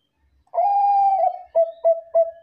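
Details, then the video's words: Bangkok-type zebra dove, a lively singer used as a lure to make other doves answer: one long, smooth coo, then three short, evenly timed coos. "PERKUTUT BANGKOK GACOR SUARA AMPUH DIJADIKAN PANCINGAN PERKUTUT BANGKOK LAIN 100% NYAUT"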